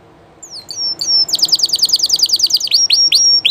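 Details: Spanish llarguet canary song, recorded live: thin falling whistles lead into a rapid ringing trill of about a dozen repeated notes, then sharp dipping whistled notes.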